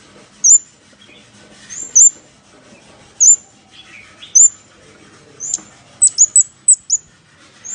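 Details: Lure call of a scarlet-backed flowerpecker: single high, sharp ticks spaced about a second apart, then a quick cluster of five or six ticks near the end.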